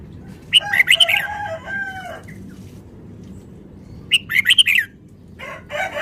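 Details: Red-whiskered bulbul kept in a cage, a Vietnamese bird in fast song: two bursts of quick, bright, clipped notes a few seconds apart, the first trailing into lower harmonic tones, over a low hum.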